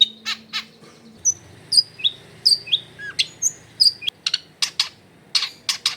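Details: Long-tailed shrike singing as a lure for other shrikes, home recording: sharp clicks and clear, slurred whistles sliding up and down, followed by a rapid series of short high chips.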